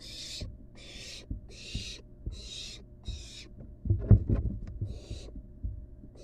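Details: Excited barn owl nestling during feeding gives a run of rasping, hissing screeches in even pulses, then a burst of low bumps and rustling before one more hiss.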